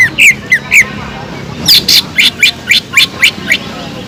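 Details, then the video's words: Greater green leafbird with kingfisher-imitation fill: three quick slurred whistles, a brief gap, then a fast, harsh series of about eight shrill, clipped notes repeated a few times a second. "PANCINGAN CUCAK IJO GACOR ISIAN ISTIMEWAH TENGKEK UDANG"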